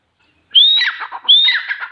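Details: Two close phrases from a grey francolin (teeter): each a clear upslurred whistle that breaks into a harsh, descending rasp.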